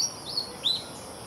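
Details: A Malaysian pied fantail (Rhipidura javanica) with chicks getting ready to fledge gives three brief, high, thin chip notes spaced about a third of a second apart, over a soft background hiss.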